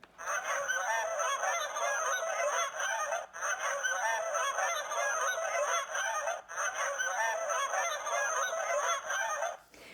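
A flock of Canada Geese honking together: a dense, continuous clamor of nasal, overlapping honks with brief pauses, over a faint steady high-pitched hiss.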